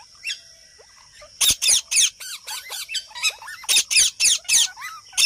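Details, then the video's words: Parrot making sounds: a rapid series of loud, harsh squawks repeated several times a second for about four seconds, mixed with short rising whistled notes, over a faint steady high-pitched tone. "Parrot talking And Making sounds"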